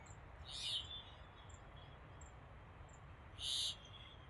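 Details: Purple sunbird, recorded 12 February 2024, giving two sharp, high, slightly buzzy call notes about three seconds apart, with faint thin chips between and a low background hum.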